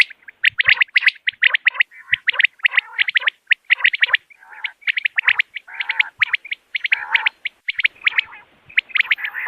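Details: Common quail in the morning, used as a hunting call: choppy series of fast, high clipped notes in short groups separated by brief gaps, with occasional lower rasping phrases.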